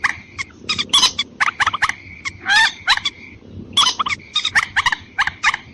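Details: White-breasted waterhen calling as a lure for females and males: loud, rapid, gobbling runs of harsh harmonic notes and honks, with a thin steady whine and rumbling background noise throughout.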